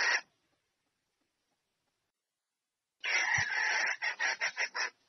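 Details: Female red junglefowl summoning a male to mate. A brief note, a long silence, then a sustained harsh rasp breaking into five quick, choppy cackles.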